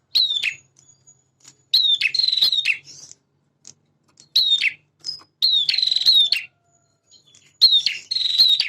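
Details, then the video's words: A male bar-winged prinia sings loudly to draw other birds into answering, giving high sharp down-slurred notes that break into buzzy chattering trills, about five phrases with short silences between. "PRENJAK JANTAN GACOR burung bahan cepat respon dengan suara ini."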